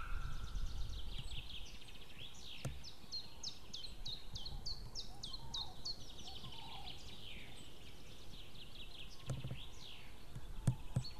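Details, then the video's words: White-tailed eagle calling on 6 May 2016 in the evening as the male leaves and the female comes in, perhaps because of a stranger overhead. A long, fast series of high, thin yelping notes sounds over steady background noise. "merikotkas perhaps a stranger in the sky Male out Female in call"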